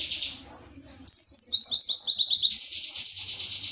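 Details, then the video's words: Wiksar-style tembakan materi of an Indonesian white-eye (pleci): after a quieter buzzy start, a loud burst of sharp descending whistles repeated rapidly, ending in a high, steady trill. "Pleci WIKSAR Tembakan MATERI"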